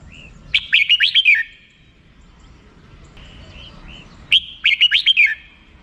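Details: Red-whiskered bulbul singing in the 'rik' song style: two bursts of rapid, bright chattering notes, each about a second long and about four seconds apart, with soft short whistles in the gap between them.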